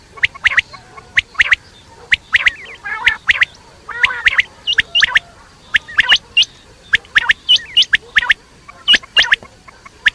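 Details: Quail calling at night: sharp, short upswept notes repeated in quick bursts, mixed with brief raspy chattering phrases, with pauses of about a second between groups.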